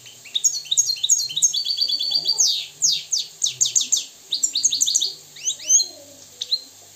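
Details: European goldfinch, a wild bird of Moroccan stock, delivers fast rolling trills of sharp chirps, then downslurred sweeping notes in rapid series and a few scattered tweets near the end.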